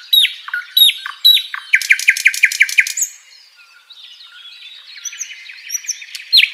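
An Asian brown flycatcher sings a lively run of high chirps and slurred notes, with a quick burst of about eight rapid repeated notes, then softer twittering.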